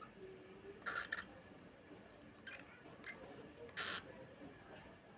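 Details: A pet cockatiel, apparently fighting with its owner, gives two short, harsh, rasping screeches with a faint murmur of speech behind.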